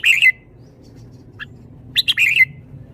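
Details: Red-whiskered bulbul kept in a cage delivering "shaking bottle" style song: a warbled phrase, a soft isolated note, then a second rapid chattering phrase of stacked notes that ends in a bright whistle.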